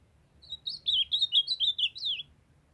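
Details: Caged ultramarine grosbeak (azulão) in Brazil, a female calling to stir up a young singing male: a quick, high phrase of about ten slurred, warbled notes lasting under two seconds, over a quiet background.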